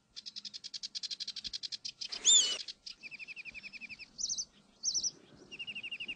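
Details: Foraging Northern lapwing chicks give a fast string of high peeping notes, then a sharp louder squeal, followed by lower rapid trilled series and brief high buzzy bursts.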